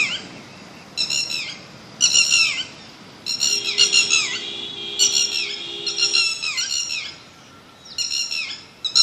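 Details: A bird gives repeated grating squawks with falling slurred notes in irregular bursts, while a steady faint tone runs underneath through the middle of the recording.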